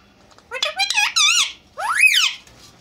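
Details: Indian ringneck parakeet talking in Urdu or Hindi while facing its partner: a rapid string of squeaky, rising and falling word-like syllables, then one long arching phrase sweeping up and down, clear and close indoors.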